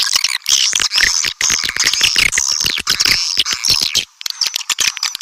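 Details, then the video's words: Swiftlet call for luring swiftlets: crowded high twittering with rattling clicks and rising-falling squeaky notes, then a short pause before sparse clicks. "Panggil burung walet suara panggil"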